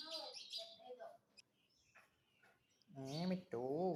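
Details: Pet parrot talking, with speech-like voiced phrases that have stacked, wavering harmonics near the end, plus higher squeaky sounds at the start and a quiet gap in the middle.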